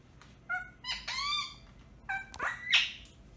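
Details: Indian ring-necked parakeet kept as a pet indoors, producing a quieter medley of whistled tones, rising squeaks and short chirps over about three seconds, ending with a brief harsh note.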